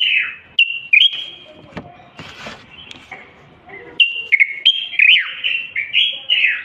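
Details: Common bulbul singing continuously to stimulate males to sing: broken whistled phrases with a noisy, clattering stretch in the middle, then a clearer run of slurred, fluty notes.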